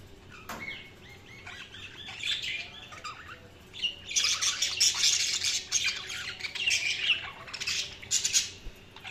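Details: Budgies twittering, starting with a few soft scattered chirps, then breaking into a loud, dense stretch of scratchy warbling and squawky chatter that fades near the end.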